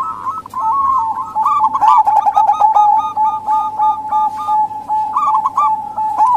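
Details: A local female zebra dove's call, meant to attract males that rarely sing or wild doves, with quick chains of bent cooing notes that swell and fade, laid over an unbroken steady tone.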